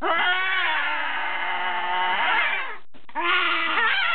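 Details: A Blue-and-gold and a Green-winged Macaw kept as pets, loose in a basement guarding their hiding spot, give a long, loud, nasal drawn-out squawk lasting nearly three seconds, then a brief pause and a second harsh cry, in a small room.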